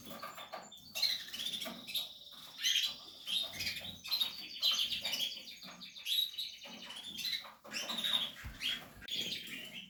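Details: Portuguese harlequin canary chicks in the nest, captive-bred, uttering repeated high squeaky chirps in bursts every second or so, busy and overlapping.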